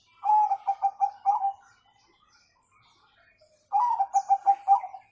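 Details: Bangkok zebra dove, recorded as a master song to make young birds sing faster and learn the 'kung' sound, delivers two phrases of quick, evenly pulsed coos. Each phrase ends in a longer note, with a quiet gap between them.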